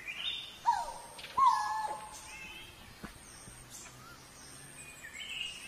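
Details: Coral-billed ground cuckoo giving two low, hollow whistled notes, each holding steady then sliding down, about a second apart, with thin higher chirps from other birds and a soft background hiss.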